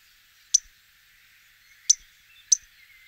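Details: A Melodious warbler (Hippolais polyglotta) gives three sharp, dry, high-pitched ticks, spaced unevenly about a second apart, against quiet background hiss.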